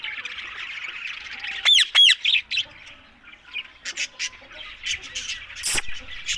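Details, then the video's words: Green ringneck parakeets: two loud, harsh screeches with strong overtones near the start, then shorter squawks over a steady background of dense, high chirping chatter from many birds. "Talking Green Fanny Ringneck Mitthu Parrots"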